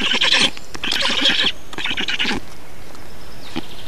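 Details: Black storks in Estonia, feeding on 2 June 2019: three quick bursts of harsh, rasping calls in the first two seconds, then quiet with a faint click.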